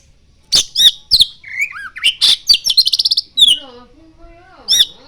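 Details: Oriental magpie-robin song with mimicry of the common iora: loud, sharp whistles and a quick run of evenly repeated notes, then softer, lower wavering whistles before a final sharp phrase.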